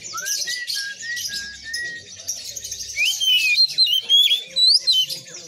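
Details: An Oriental magpie-robin sings persistently, starting with drawn-out level whistles, then breaking into quick, looping, high-pitched whistled flourishes over a faint hiss.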